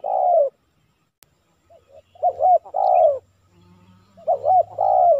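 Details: Spotted dove cooing in Silaban village, Lintong ni Huta, Indonesia, during a trapping session with a decoy bird aimed at a 'kuk 3' male: low mellow hollow coos in clustered phrases with short pauses, faint low rumble behind.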